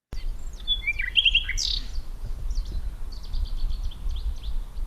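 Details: A Common Nightingale in Portugal, recorded by day, gives a rich, varied phrase of whistles and fast repeated notes, with fainter chirping from other birds singing in the background over a low rumble.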